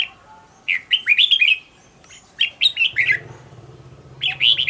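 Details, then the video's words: Red-whiskered bulbul song, a recording used for training a decoy bulbul to sing; three bursts of quick, warbled, rising and falling whistled notes, each lasting about a second, separated by short pauses, with a faint low hum partway through. "Cách luyện chào mào mồi - Hót hay nhanh lửa, Căng"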